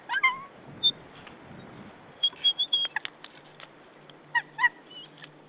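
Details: A White-tailed Eagle at its nest territory on 15 April 2013, as the male brings prey, gives sharp, high yelping alarm notes at intruders in short bursts, with a clustered series midway and a pair near the end, over faint background hiss.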